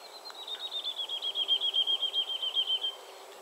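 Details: Woodlark song phrase, a rapid, even trill of liquid repeated notes that starts higher and gently descends in pitch over about three seconds, rising in loudness toward the middle; quiet natural background.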